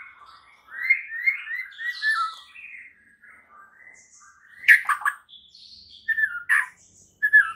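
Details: White-rumped shama singing a morning training song for other shamas; rich warbled whistles rising and falling, then pauses broken by sharp, loud chip-like bursts and short whistled notes.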